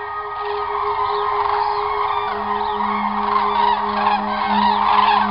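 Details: In autumn 2021, migrating common cranes fly over Germany southwest towards southern European wintering grounds, calling in a dense chorus of loud, trumpeting, rolling notes, many birds overlapping at a quick pace, over a steady low hum.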